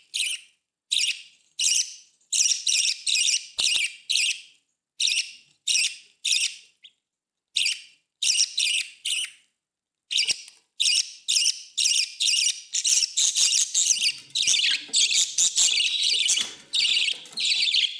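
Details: Budgerigar (Melopsittacus undulatus) breeding pair with a new clutch and chick giving chatter calls: bursts of high, scratchy chirps and warbles repeated in quick runs.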